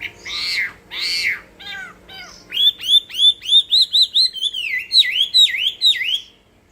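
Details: Hwamei fighting song: two broad harsh notes, then a rapid series of loud ringing downslurred whistles repeated about three times per second.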